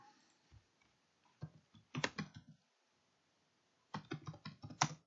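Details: Computer keyboard typing and mouse-like clicks come in two bursts separated by a short silence, indoors in a small room.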